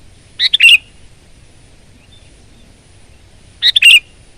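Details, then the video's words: Sooty-headed bulbul sings a bright, jerky three-part phrase ending in a slurred whistle, repeats it almost identically about three seconds later; chatty gacor delivery with a quiet background. "Kutilang Gacor Garuda Suara Full Power"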